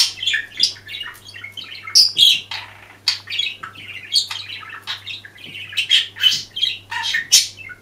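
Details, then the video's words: Budgerigar filmed secretly while singing, keeping up a long, busy warble of chirps, squeaks, rasping squawks and clicks with hardly a pause, over a low background hum. "ПЕНИЕ ВОЛНИСТОГО ПОПУГАЯ"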